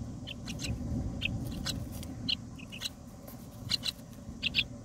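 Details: Myna chicks in the nest, 18 days old and being fed by a parent, give short, harsh, raspy squeaks in irregular bursts, a few each second, over a steady low rumble of background noise.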